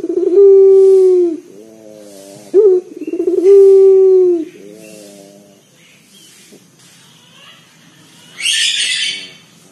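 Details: Local Indonesian dove (puter), a loud, deep-voiced bird used to lure others into calling. Low, harmonic coos, each a drawn-out steady note with a short break, given twice, then quiet with a brief hissing burst near the end.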